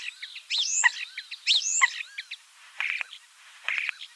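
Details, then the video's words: Common starling singing: one whistled and clicking phrase is repeated twice, then come two short buzzy, grating bursts separated by quiet gaps. "Обыкновенный скворец (Sturnus vulgaris) - голос"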